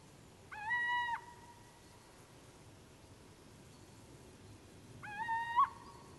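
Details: Little owl (Athene noctua) giving two drawn-out, plaintive mewing notes, each slightly rising and lasting about half a second, spaced roughly four seconds apart over a quiet, faintly hissing background.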